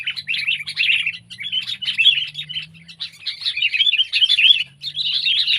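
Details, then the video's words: Pet versus wild sooty-headed bulbuls (Pycnonotus aurigaster), several birds chattering and singing bright, bubbly phrases in quick succession, overlapping, over a low steady hum. "Burung Kutilang Peliharaan VS Burung Kutilang Liar!"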